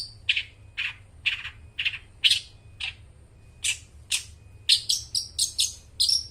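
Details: Long-tailed shrike singing as bait for mute shrikes: a sequence of buzzy descending chirps about half a second apart, turning into faster, higher piping notes toward the end.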